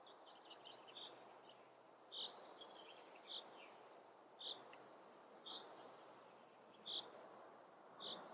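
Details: In Germany's Eifel region a Western osprey feeds on a crucian carp, giving clear, clipped whistled chirps spaced about a second apart, seven in all, against a constant soft rushing background.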